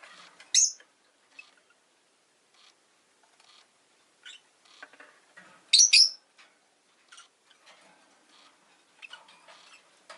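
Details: Rosy-faced lovebird chirping, with two loud, harsh, high-pitched shrieks about five seconds apart and softer scattered chirps and clicks between them.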